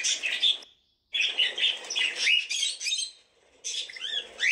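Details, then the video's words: Scratchy cockatiel squawks in three bursts split by short pauses, the middle burst carrying a few upward-sweeping whistled notes amid the harsh chatter. "Cocktiels video and sound"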